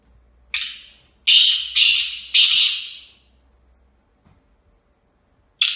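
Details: Black francolin, a kept bird in training, giving harsh, grating broadband notes: one, a pause, then three loud rasping bursts in quick succession fading away, and another note starting at the end.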